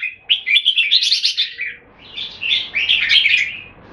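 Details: Caged Red-whiskered bulbul kept in Singapore, singing in a display contest between two birds: bright chattering warbled phrases with quick notes, two bursts separated by a short pause.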